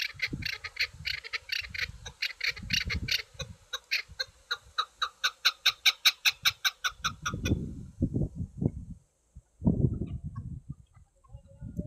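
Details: Chukar partridge, a hunting bird, giving its song: rhythmic harsh chuk notes that repeat rapidly and grow louder for seven seconds, then stop, leaving low rumbling and thudding noise.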